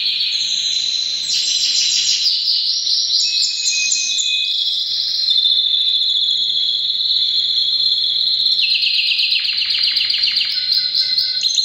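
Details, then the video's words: Canary singing powerfully in breeding season: rapid rising note runs give way to a long sustained rolling trill, then a burst of quick chattering notes. "Canary bird most powerful singing during breeding season"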